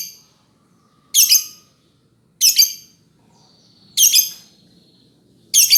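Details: Lovebird uttering four loud, raspy chirps spaced about 1.4 seconds apart, with a faint thin whistle drifting between them.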